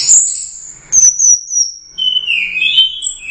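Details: Orange-headed thrush that took first place at the Royal Cup, giving a long high thin whistle that slowly falls, then a lower, warbling rising-and-falling phrase, in the lively teler doyong song style.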